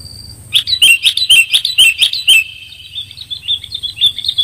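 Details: Clear-voiced sooty-headed bulbul call used to lure birds: a fast string of sharp chirping notes, about two per second, each with a click, followed by quieter bubbling warbles.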